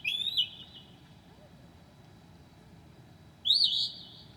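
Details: Northern mockingbird at 2 a.m., July 2008, mimicking other birds: loud rising, slightly burry whistled phrases, one short and one longer after a three-second gap, above faint background hum.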